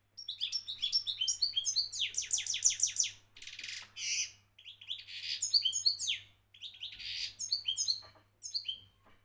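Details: European goldfinch song in phrases of bright twittered notes, rapid repeated descending sweeps and buzzy trills, broken by short pauses, with a faint low steady hum underneath.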